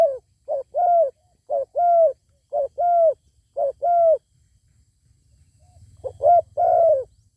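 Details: Zebra dove answering a good-voiced wild bird that refuses to come down and fight. About five rapid cooing phrases come roughly once a second, each of short stuttered notes and a longer bowed coo, then a pause, one more phrase, and a low hum.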